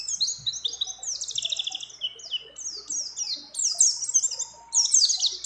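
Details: Mountain white-eye song, a female in breeding condition calling to a male, mixed with other birds' phrases: dense, shrill, downward-slurred notes in quick bursts, loudest near the end.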